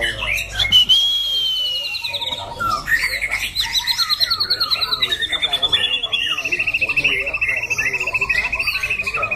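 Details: Caged White-rumped shama bred for song contests, with a loud, harsh, shifting voice. A long pure whistle slides upward, followed by a fast, steady stutter of repeated notes and a sustained high whistled strand.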